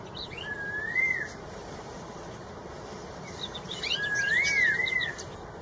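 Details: Red-tailed cucak rowo, a straw-headed bulbul, singing in the wild: two rich, bouncing whistled phrases with an upward flourish, separated by a quiet gap of a few seconds, plus faint high chirps.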